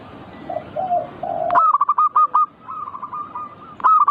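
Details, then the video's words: Zebra dove (perkutut) song used to provoke birds into frequent manggung singing; low muffled cooing notes first, then a loud burst of quick staccato coos repeated rapidly, with fainter answering phrases and another loud burst at the end. "Pancing Emosi burung perkutut bikin cepat Gacor rajin bunyi manggung"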